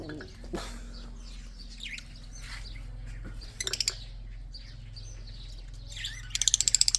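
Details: Budgerigars with red eyes in a breeding setting give scattered high squeaks and warbles, then two quick trains of sharp rattling ticks, one mid-way and one closing the recording, over a low background hum.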